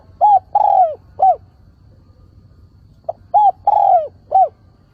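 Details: Spotted dove lure bird giving its calling coo, used to draw wild doves in and provoke rivals to coo. Two clean phrases, each a quick series of three or four arched, hollow coos with a longer middle note, separated by a short silence.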